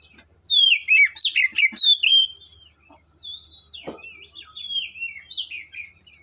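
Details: Oriental magpie-robin in its native forest, opening with loud, tumbling whistled notes in quick succession, then softer descending slurred phrases, with one sharp click in the middle.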